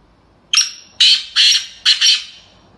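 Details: Female black francolin calling: a short high note, then three harsh, raspy bursts, the last doubled, all loud and clear over a quiet background.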